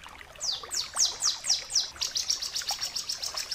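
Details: Bar-winged prinia song used for training other birds: a series of bright descending sweeping notes, about four per second, turning into a faster trill of short high notes, over faint background hiss.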